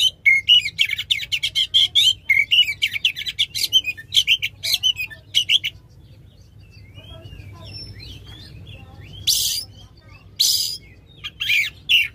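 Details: Oriental magpie-robin, loud song with long phrases used to coax a silent magpie-robin into singing; rapid bursts of sharp, repeated trilled notes, a quieter pause with soft twitters, then loud harsh bursts.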